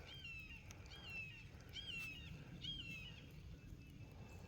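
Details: A hawk high overhead above a rain-swollen pond while fishing gives four high, clear, slightly slurred screams, about one a second, over a steady low rumble of wind and outdoor noise.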